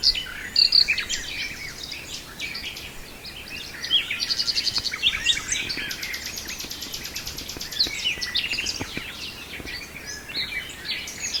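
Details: A nightingale in Brijeste delivers a long varied song: loud whistled phrases, a fast ticking run of evenly spaced notes, then a dense buzzy rattle, mixed with quieter calls of other birds.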